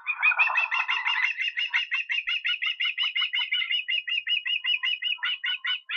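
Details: Osprey, Estonia, 23 August: an unbroken string of rapid, shrill whistled chirps lasting several seconds, opening with a rougher, lower burst of sound.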